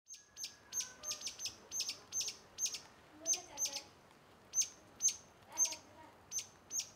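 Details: Streaked laughingthrush calling: short, sharp, high chirps, each one clipped and bright, repeated in quick succession about two or three times a second, with brief pauses and a faint soft murmur underneath.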